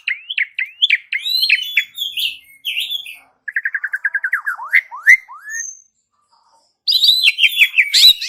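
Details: Varied Asian pied starling song meant to prompt birds into singing: rising whistled slurs, a fast even trill of mid-pitched notes, a few upward sweeps, a short silence, then busy high-pitched chattering.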